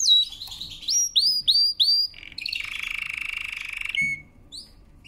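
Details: Canary singing for training: a series of clear upward-slurred whistles, then a steady buzzy rolling trill for about two seconds, ending with a sharp note and faint chirps.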